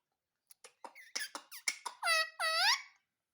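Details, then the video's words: Indian ringneck parakeet talking, said to mimic "mummy papa": a quick run of short clipped syllables, then two drawn-out harmonic, nasal, voice-like notes, indoors in a small room. "Parrot Talking _ Mummy Papa Bolne Wala Parrot"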